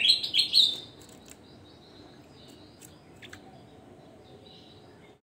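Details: Javan grey-throated white-eye singing vigorously: a brief, loud burst of high twittering notes in the first second, then near silence with only a few faint, scattered chirps.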